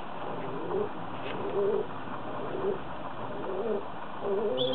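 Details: Kept doves said to have fallen in love. Soft, short arched coos repeat about once a second over a steady low background hum.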